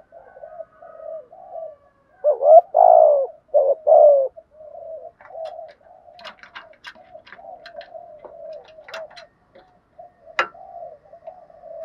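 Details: Spotted dove in a cage, cooing a practised sequence to coax other birds into calling. Quiet murmured coos lead into three loud throaty bursts, followed by a long run of soft coos with faint ticking.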